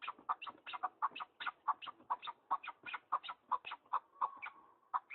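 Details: In the mountains, partridges utter brisk, husky chuck notes, some doubled, in an uneven continuous stream over a quiet background.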